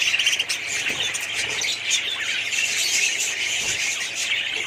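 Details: Crowded budgerigar colony giving continuous high chatter, with a burst of louder squawks at the start and then busy overlapping chirps and warbles.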